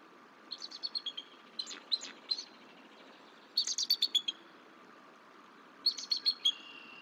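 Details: Bald eagle at the nest in Decorah, parent feeding a month-old eaglet: high thin chittering calls in short series of rapid piping notes, three bursts a couple of seconds apart, over steady low outdoor noise.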